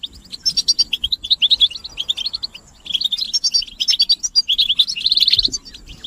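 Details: European goldfinch chorus of mating calls, played to rouse males into nonstop singing: lively runs of sweet, high chirps in phrases about two seconds long, with a short quiet pause between them.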